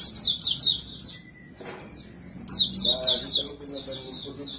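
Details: Pleci white-eye singing 'bocor' style as a lure for other birds: bursts of quick, high, sweet twittering phrases, a short quiet break after one second, then the bright chatter resumes strongly.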